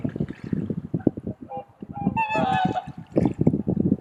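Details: Swans calling in the dawn blue hour at Kotoku Pond in Japan: a drawn-out nasal, tonal 'koo' note with clear overtones in mid-clip, set against low wind buffeting and murmuring people nearby.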